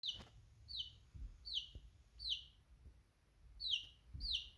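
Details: Chicken chick chirping: six loud, high peeps, each sliding downward, given in spaced bursts, over a soft low rumble and a few faint knocks in the background.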